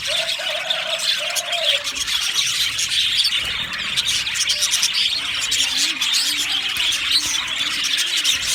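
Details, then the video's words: Happy budgerigars in an aviary colony, a thick layer of high chirps and tweets from many birds, with a steady low tonal drone in the first two seconds and later. "Happy Budgies chirping sounds"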